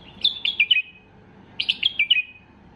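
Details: White-eared bulbul at peak arousal, song meant to make other bulbuls sing: two quick bursts of four or five bright, downward-sliding whistled notes, separated by under a second of near silence.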